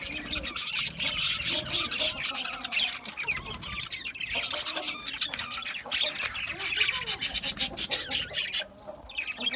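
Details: Budgerigars chirping in a small home setup: constant squawky warbling chatter, with a burst of fast, evenly repeated high chirps near the end.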